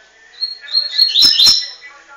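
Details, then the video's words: Double-collared seedeater, São Paulo, tuitui song style: brief high whistled notes climbing into two sharp, buzzy click-like strokes within a quick, bright phrase. "Coleiro tuitui"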